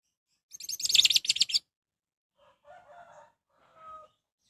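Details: Orange-headed thrush song used as a lure to stir other orange-headed thrushes into singing: one loud, dense burst of harsh, rapid high notes lasting about a second, then two faint, lower warbled phrases after a pause.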